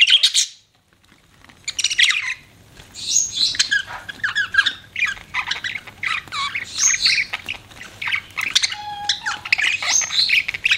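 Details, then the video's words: Pet budgerigar chirping: busy bursts of scratchy, squawky chatter and short high tweets, mostly continuous with brief pauses, one thin whistled note near the end. "CUTE BUDGIE PARROT"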